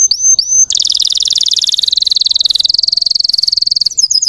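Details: Russian canary singing as a lure for untrained canaries: two sweeping whistles, then a long, very fast, high buzzing trill that drops slightly in pitch.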